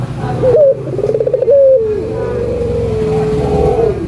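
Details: Collared dove, an albino bird, singing to stimulate doves: a rising note, a pulsed trill, then a long level coo that slowly fades. A steady rumble of traffic lies underneath.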